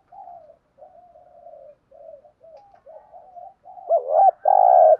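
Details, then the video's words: Spotted dove cooing, a call used to stimulate and train decoy birds for trapping: a run of soft, low murmured coos, then two loud, full coos at the end, with the second held steady. "Tiếng chim cu gáy thúc gù bài bản dùng kích bổi và tập mồi hiệu quả"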